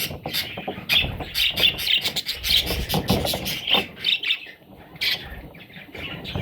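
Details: Rapid, scratchy chirps and squawks from parrot chicks tumble in a dense run for several seconds, then thin to a few scattered calls, over faint low rumble.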